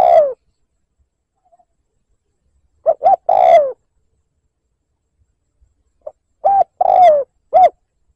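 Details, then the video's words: Provoking lure cooing of a spotted dove, liêu lỡ style: a falling coo, then two phrases of quick short notes around a long slurred downward coo, spaced by three-second silences, clean and without background noise. "Tiếng mồi cu gáy liêu lỡ gáy gù kích bổi"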